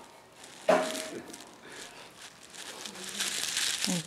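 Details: Crinkling and rustling handling noise in a small room, with a sharp click and faint murmur of voices, but no animal call.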